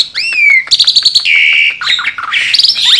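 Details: Loud song from a tame Asian pied starling: a rising whistle that slides down, then rapid metallic chatter, a long steady buzzy note, and fast squeaky phrases.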